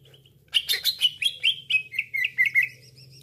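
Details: Lure call of cucak ijo for trapping: a rapid chattering run of whistled notes that slide gradually lower, about a dozen in two seconds, above a steady low hum.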